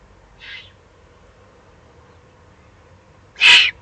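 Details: Excited young Eurasian eagle-owls in the Eifel on 21 June 2020 give raspy, hissing begging calls, a softer one first, then a louder, broader hiss about three seconds later.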